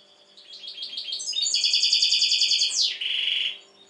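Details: European goldfinch, said to be very tense now, singing a continuous high twittering song that builds into a loud, dense buzzy trill. It closes with a rasping drawn-out note.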